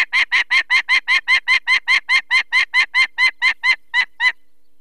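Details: Peregrine falcon at its nest in the Barycz Valley, Poland, 2 May 2023, alarmed by people removing one of four chicks with eye problems: a harsh, grating series of about twenty rapid kek notes at an even pace, then silence.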